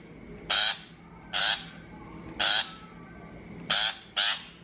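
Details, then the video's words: Five coarse, rasping shrike calls, the last two close together, from a speaker lure recording for bird trapping, over a faint steady whine. "Tiếng chim bách thanh chuẩn mp3 cho loa bẫy 2023"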